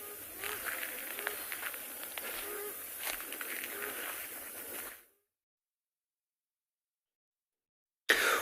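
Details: A shelduck pair (male and female) on an afternoon safari in South Africa, 19 September 2020, give short, low, nasal honks about once a second as an alarm, over a steady insect hiss; the sound then drops out briefly.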